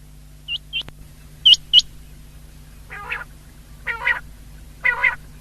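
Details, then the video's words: Common quail (batair) recorded 19 February 2024: a few sharp high upward whistles, then three harsher, nasal, buzzy bursts spaced about a second apart. "Best common quail sound of the year 2023"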